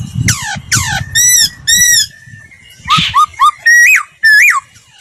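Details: Laughingthrush voice-training song. Rasping downward swoops come first, then two steady, ringing whistled notes. Several short, sharply looping whistles follow, and low thuds sound faintly in the background.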